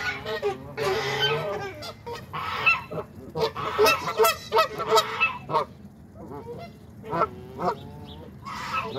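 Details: Noisy flock of waterfowl at a Saturday morning pond feeding, honking in loud overlapping bursts that rise and fall, over a constant low background hum.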